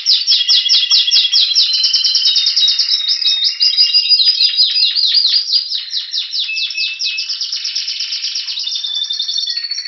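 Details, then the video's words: Ten seconds of Spanish Timbrado canary song, Anavissos, Greece, February 2016, before spring: a long chain of rapid downward-slurred notes interwoven with brief whistled tones, growing softer toward the end. "Canario Timbrado Espanol esperando la primavera"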